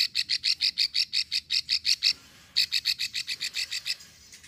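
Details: Ticking 'ngekrek' call of a female plain prinia, given to lure males, Ulujami, Central Java. A quick run of about ten clicks, a half-second pause, then a fading second run.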